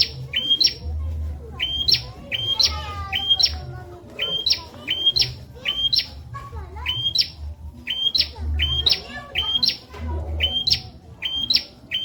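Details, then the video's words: Bar-winged prinia used as a tutor song for training magpie-robins and leafbirds: a clear flat whistle jumping to a sharp rising upsweep, the paired note repeated briskly about twice a second, over a low steady hum and faint background chatter. "Burung Prenjak Masteran Viral Buat Murai & Ijo"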